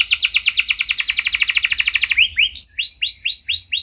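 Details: Canary singing a gacor song, played as a pancingan to lure other canaries into singing: a fast, high trill of rapidly repeated notes for two seconds, then slower, downward-swooping whistles about two per second.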